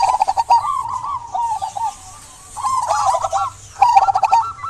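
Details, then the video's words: Lively local zebra dove singing to coax quiet doves into song: bursts of bubbling, trilled coos, a quiet pause in the middle, then renewed phrases, with scattered high chirps from other birds. "Perkutut lokal gacor buat pancingan perkutut pendiam agar bunyi"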